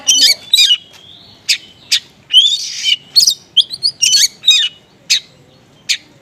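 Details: Oriental magpie-robin in the konslet song style, with small-bird material, used as a lure to prompt other magpie-robins to respond. Loud, varied bursts of sharp chirps and buzzy notes, with a brief whistled slide, separated by short pauses.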